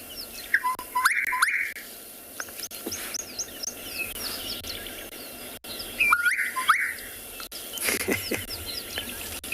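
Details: Gorgeous bushshrike in South Africa, a recording played back by a safari guide showing variations of the call: loud fluty whistled notes rising in a short phrase, repeated after about five seconds, with softer high chirps between.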